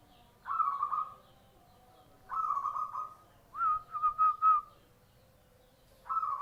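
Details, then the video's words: Zebra dove of local stock with a clear voice, singing whistled phrases that start with a short rise then a quick stuttering trill of even notes, four phrases spaced about two seconds apart over a quiet background. "Perkurut lokal suara jernih"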